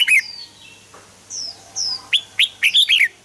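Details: Red-whiskered bulbul song used to stimulate other birds: a sharp opening note, drawn whistles, then a rapid run of five bright, warbling notes near the end.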